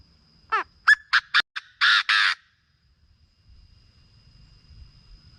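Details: Chinese francolin calling, a recording meant for decoy trapping to rouse birds: a falling harmonic note, several short sharp clicks, then two loud harsh rasping bursts, followed by faint low background noise.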